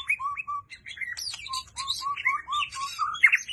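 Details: White-rumped shama singing and changing its voice continuously: a rapid stream of varied whistles, slurred notes and chattering trills that switch pitch and pattern every fraction of a second.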